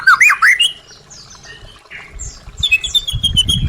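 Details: White-rumped shama song meant to stimulate a caged bird that stopped singing: a short burst of loud, looping whistles, then softer high chirps with some low rustling in the background.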